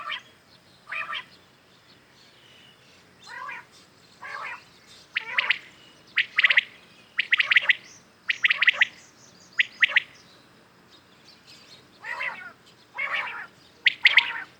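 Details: Morning calling by common quails, real birds heard clearly for hunting: a long series of sharp triple whistled phrases mixed with softer nasal notes, repeated almost once a second over a quiet background.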